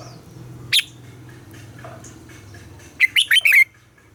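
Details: Red-whiskered bulbul morning song for training captive birds: a sharp single note, then after a pause a rapid phrase of four bright warbled whistles, all over a steady low hum.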